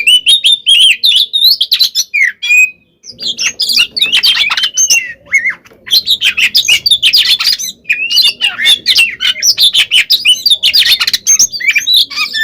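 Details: Kacer, the oriental magpie-robin, delivering a full fighting song meant to anger other magpie-robins into replying: dense stream of sharp chirps, buzzy rattles and sliding whistles with one short gap, faint low background hum.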